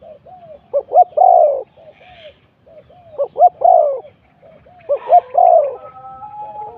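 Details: Spotted dove used to lure wild doves, luring spot 41. Three evenly spaced phrases of hollow coos: soft lead-in notes, two short hoots, then a longer coo. Brief steady whistled tones are heard at the end.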